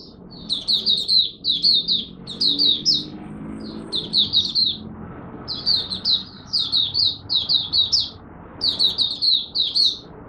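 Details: Oriental white-eye (mata puteh), Malaysian, opening its first daily warm-up song on 01/08/2023: clear, loud clusters of three to five quick high whistles, repeated with short pauses between clusters.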